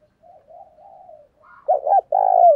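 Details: Decoy spotted dove cooing to lure wild doves: soft, low murmuring coos build into a loud ending phrase of short, throaty, rolling coo notes.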